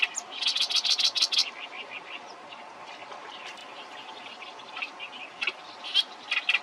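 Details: Oriental reed warbler bursts into a fast, loud run of grating, broadband notes for about a second, then softer chattering phrases and a few more harsh notes toward the end.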